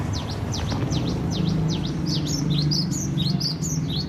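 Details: Cinereous tit from Aceh, singing actively at home in the gantang style: sharp descending high notes repeated about twice a second, then a faster run of quick two-part whistled notes, with low hum behind.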